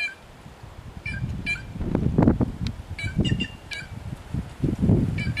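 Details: Wild white-naped jay singing free in nature, giving bursts of brief bright metallic notes, some doubled or tripled, with strong low-pitched rumbling noise underneath.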